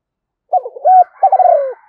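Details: Decoy spotted dove cooing to lure wild doves, in the Vietnamese calling and urging styles: one low, hollow phrase of short coos and a longer descending coo, with a faint higher echo-like overtone.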